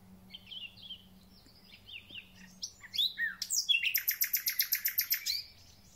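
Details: Thrush nightingale singing at the start of spring: soft descending whistles give way to sweeping slurred notes, then a loud, rapid, rhythmic rattle of about fourteen repeated pulses.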